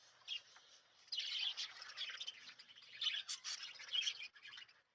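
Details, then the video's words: Lovebirds kept at home at night, at sleeping time, seemingly pretending to sleep: a silent start, then dense high chirps and squeaky twitters in overlapping bursts from about one second, with brief sharp peaks. "Love bird Sleeping Time"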